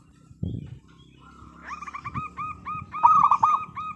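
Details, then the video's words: Zebra dove of local stock, singing to entice other doves: after a thump and quiet, a quick string of short ringing coos builds up and grows louder. "Perkutut Lokal Gacor Suara Paling Ampuh Untuk Pancingan Burung Perkutut Agar Bunyi"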